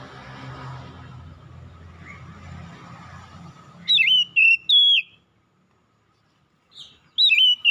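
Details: Oriental magpie-robin in the morning: a soft background murmur and hum fades out, then loud whistled phrases with sharp downward slurs come in two bursts separated by a few seconds of silence.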